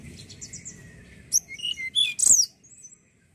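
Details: Juvenile Sunda robin (tledekan bahan) sound played to stimulate other birds to sing: faint high twittering, then loud sharp chirps and quick whistled slurred notes in a burst around two seconds in, ending in faint high trills.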